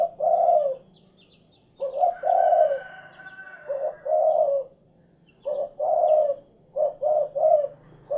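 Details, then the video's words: Spotted dove (derkuku) cooing in a quick run of low, hollow coo notes, some phrases stretched and others clipped into rapid short coos near the end, with faint high chirps behind. "SUARA BURUNG DERKUKU / CUKURUKUK KUK GERUK"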